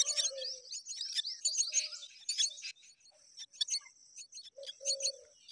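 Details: Myna chicks being fed: busy raspy high-pitched chatter early on, thinning to isolated sharp chirps, with brief low tonal notes at the start and near the end.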